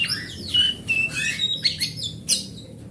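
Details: Oriental magpie-robin, grade A forest bird, its song meant to lure other magpie-robins to sing: pure whistled notes and downward slurs, interspersed with scratchy high bursts and short pauses.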